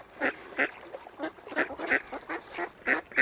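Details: Mute swans on the shore of Kinnego Bay, Oxford Island Nature Reserve, Lough Neagh, County Armagh, Northern Ireland: about ten short nasal calls in an uneven series, roughly three per second at the end, over quiet background.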